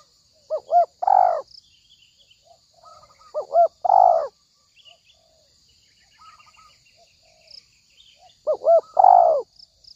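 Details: Spotted dove coos played as a trapping lure: three phrases, each two or three clipped notes rising into a long hoarse coo, spaced by quiet gaps with faint chirps of other birds and steady hiss.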